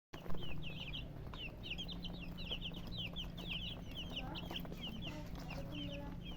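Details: Hens, called murgi, giving dense high chirps repeated many times a second, sliding and overlapping in a busy chorus, over a steady low hum and background noise.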